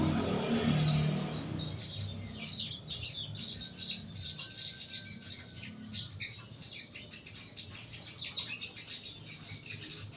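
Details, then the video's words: Caged young crimson sunbird, kept in a lower cage as therapy, singing a fast run of high, sharp chirps repeated about two to three per second, rising in loudness then tapering off. "BUNYI SOGON MUDA TERAPI SANGKAR BAWAH"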